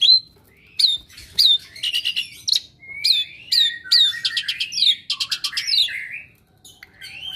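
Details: Long rambling medley from a pet Asian pied starling, a bird said never to stop and to imitate others: downslurred whistles, rapid chattering trills and squeaky rising notes follow one another almost without pause.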